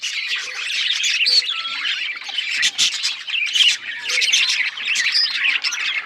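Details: Parakeets chirping in a group: lively, overlapping warbled chatter rising and falling in loudness, with brief squeaky whistles and short squawks.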